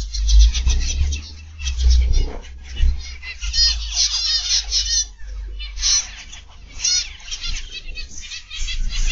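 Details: Many caged zebra finches in an aviary, afternoon of 31 August 2021, keep up a constant buzzy, nasal twittering with clustered trilled notes, while low thumps and a deep background rumble sit underneath.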